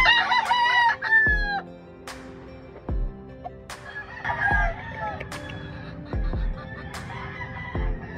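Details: Grey Kelso Albany chicken on a farm gives a short harmonic crow-like call that falls at the end, over loud background music with regular deep beats.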